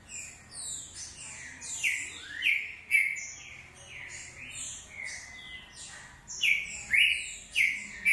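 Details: Green-winged saltator giving its short song: loud, clear whistled notes that slide up or down, delivered in bursts of two to four phrases roughly every half second, with fainter high chirps overlapping in the background.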